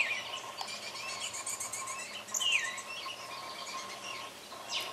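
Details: Begging Baltimore oriole fledglings, fed by the male high in the tallest trees, keep up a constant thin chatter of repeated notes, broken by one clear downward-slurred whistle near the middle, over a persistent low hum.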